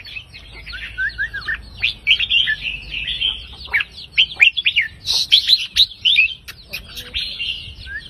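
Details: Red-whiskered bulbul singing in the counting-phrase style with 3-4-5 note phrases: bright, quick warbled whistles with rising and falling slurs, delivered in rapid bursts, with short gaps between phrases.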